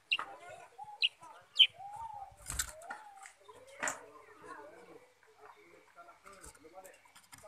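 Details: Sooty-headed bulbul singing energetically: short, liquid, whistled slurs and bubbly warbles, mixed with sharp, high downward chips at irregular moments and a brief noisy burst near the middle.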